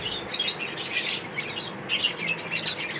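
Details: Lovebirds in a mating ritual, chattering with quick high chirps and short squeaky notes that overlap in a busy stream, brief gap near the middle before the twittering resumes.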